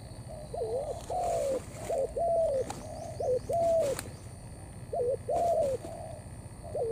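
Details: Spotted dove, a bổi bird, cooing in the thổ style mixed with cấn sấm. Clear hollow coos come in phrases of a short hooked note and a longer falling one, repeated with pauses, over a low hum.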